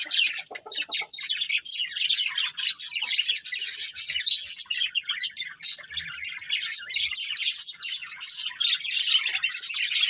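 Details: Long run of budgerigar chatter from a breeding pair, rapid scratchy chirps and warbles pouring almost without a break.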